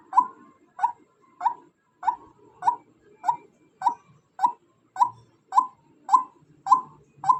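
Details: Female white-breasted waterhen giving a monotonous string of short, hoarse notes, about thirteen in seven seconds and evenly spaced roughly every 0.6 seconds, with a faint low hum beneath.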